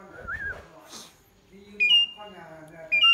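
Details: Pied myna giving two loud, high, sustained whistles about a second apart, after a soft wavering note and some low background murmur.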